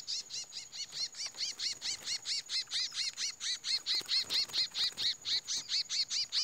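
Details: Chestnut-bellied seed finch fighting, first fight after moulting: a steady, insistent run of high arched whistled notes repeated about twice per second without a break, over faint background hiss.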